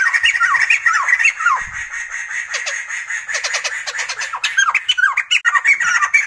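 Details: Laughing song of the Sumatran laughingthrush: downslurred harmonic notes, then runs of quick stuttering clicks and squawks, all loud and overlapping with little pause.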